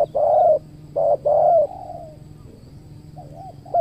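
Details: Spotted dove cooing during a luring session at a new location, with a trained decoy dove present: low, soft hooting coos in a short phrase of two to three notes, followed by a quieter trailing coo, in a calm outdoor setting.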